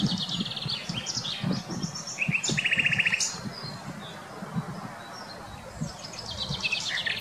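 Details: Song of a common nightingale, Wittlich, 2020: a burst of a dry, evenly repeated rattle in the middle, surrounded by scattered high chips and trills from other birds, with rustling low noise throughout.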